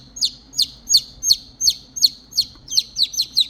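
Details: Baby chicks that lost their mother hen peep for her: clear, shrill downward chirps repeated at a quick even pace, about three a second, growing slightly faster and doubled near the end.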